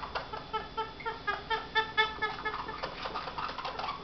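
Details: A pet female pionus parrot indoors gives the call her owner dislikes most: a series of harsh, nasal, clucking notes repeated about twice a second, rising in strength and then fading, over a low room hum.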